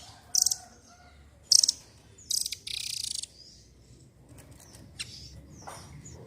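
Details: Velvet-fronted nuthatch, called rambatan doraemon, in eager song for luring silent birds: sharp high chips and short rattles followed by a half-second dry buzzy trill, fading into softer distant notes.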